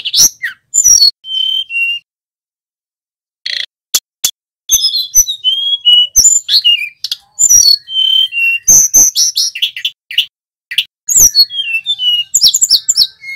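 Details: Male tledekan gunung singing in long bursts of high whistles, downward-stepping notes and rapid chirps, separated by sharp clicks and a couple of silent pauses.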